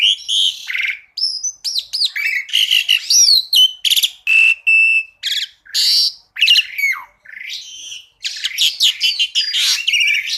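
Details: Black-collared starling (jalak suren) singing a masteran 'tembakan' style song with full variation: loud, clear whistled and buzzy phrases, rising and falling slurs and harsh bursts in rapid irregular succession, with brief pauses between notes.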